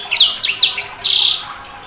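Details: Short burst of high, sharp whistles and chirps from a sanger bird, ending with a drawn-out flat whistled note.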